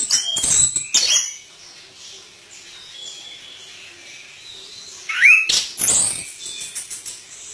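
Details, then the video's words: Energetic Chestnut-capped thrush song opening with mimicked fill notes: harsh broadband bursts, a quick rising whistle midway, and a thin sustained whistle in between. "Anis Kembang Gacor Dorr Buka Isian"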